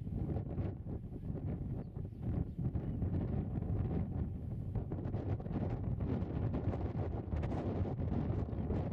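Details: Steady wind buffeting the microphone, a dense low rumble with gusts throughout and no animal calls heard.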